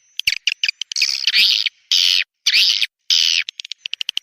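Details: Swiftlet lure call from Borneo, the 'Raja Kalimantan' type played to draw swiftlets in: sharp dry clicks at the start and end, with three or four longer rasping, buzzy chirps in the middle, about half a second each.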